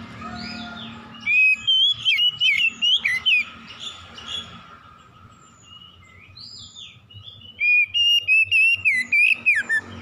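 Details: Oriental magpie-robin singing in the morning: two bursts of rapid, loud whistled notes, each with sliding and dipping pitch, separated by a quieter stretch of soft chirps and faint background noise.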